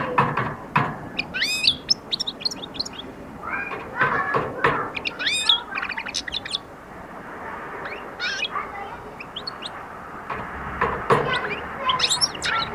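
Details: European goldfinch starting its song and attack, giving clusters of quick high twittering notes in several bursts, interrupted by sharp knocks and clatter.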